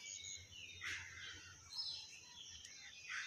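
A hill myna gives a quick run of harsh, whistled and chattering notes, some with a speech-like quality, over a faint background hiss.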